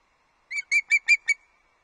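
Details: Osprey at its Loch Arkaig nest, delivering an early breakfast on 31 August 2022: five short, clear whistled chirps with bright overtones in under a second, each sharply separated, with no other sounds.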